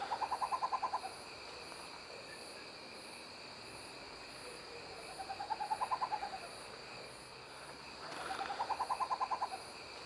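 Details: Tropical Screech-Owl (Megascops choliba) in Indaiatuba, São Paulo, giving three short, fast purring trills of about a second each, mid-pitched and slightly rising, over a steady drone of crickets.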